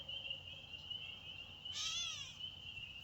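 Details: Catbird recorded May 1, 2024, giving a single nasal, cat-like mew that some hear as a baby's cry. The call arches up and falls, heard over a steady high-pitched insect drone.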